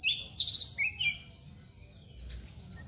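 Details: White-rumped shama, known as kacer bagong, giving a brief burst of bright whistled notes and a falling slur in the first second, then near silence with a low steady hum.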